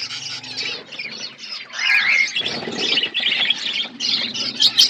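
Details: Flock of budgerigars kept in an outdoor aviary, continuous overlapping chatter of buzzy squawks and rapid high twittering without a break.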